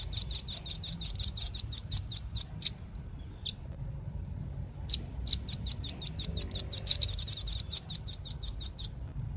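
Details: Velvet-fronted nuthatch delivering rapid series of thin, high chip notes, a quick burst, a few seconds of near silence with one stray note, then another long fast run.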